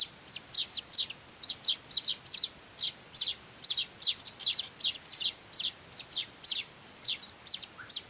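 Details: Weaver young calling for food as they are hand-fed: insistent, high-pitched chirps tumbling out in quick, irregular bursts over eight seconds, the background otherwise still.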